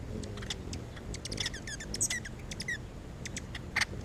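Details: Hooded oriole (Icterus cucullatus) song in a California backyard: a scratchy jumble of quick chatters, clicks and a few short, high whistled notes over a steady low rumble.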